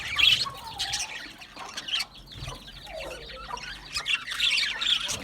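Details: Budgerigars, small Australian parrots kept in an aviary, chirping: scattered chirps and squawks with short buzzy bursts and a few lower warbled notes, fairly quiet and irregular.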